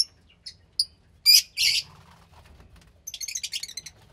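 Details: Fischer's lovebird chick around 15 days old, from lutino and pastel blue parents: a few thin high chirps, two loud harsh rasps, then fast stuttering chatter.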